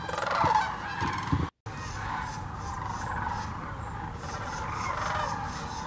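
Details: Sandhill cranes by the thousands at Birchwood, Tennessee's Hiwassee refuge, recorded with a GoPro Hero 9 or Canon Powershot: loud rolling calls up front, a short silent gap, then a softer steady murmur of the distant flock.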